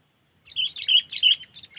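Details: Kutilang (sooty-headed bulbul) lure in the cengkeram style for trapping, Lampung: a rich, liquid phrase of three or four swelling, slurred whistles over a faint low hum.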